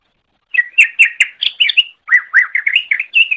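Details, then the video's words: Greater green leafbird song recorded as a training master for other songbirds: a fast sequence of bright, varied whistled and chirping notes, about fifteen in three seconds, with a brief pause midway. "Masteran Suara Cucak Ijo"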